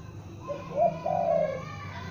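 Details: Young spotted dove kept as a lure bird, calling: two soft, hooting coo notes, the second longer and slightly falling, over a low steady hum.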